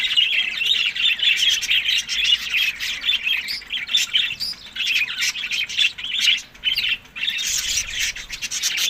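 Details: Budgies feeding on summer food, May to June, in Larkana, Sindh; a flock's nonstop warble of squeaky chirps and scratchy notes, rising and falling in bursts with hardly a pause.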